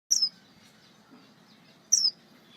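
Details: A red-faced star finch gives two thin, very high notes, each sliding quickly downward, spaced almost two seconds apart over a faint low hum.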